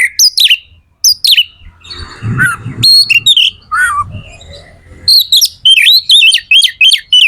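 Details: Magpie-robin (kacer) song used to stimulate other birds to sing: loud varied whistles and sliding notes, bursts of rapid high phrases at the start and end, a slurred downward whistle mid-clip, with faint low rumbling noise between phrases.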